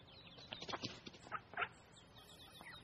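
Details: Duck with a duckling in a pond: a quick burst of harsh, broadband quacks in the first two seconds, with thin, high repeated peeps continuing faintly in the background.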